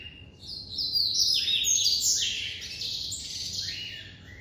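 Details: Captive-bred Double-collared seedeater (coleiro) in full classic song: a rapid, continuous string of high, bright, buzzy and slurred notes, loudest in the middle, with little else heard besides a faint hum.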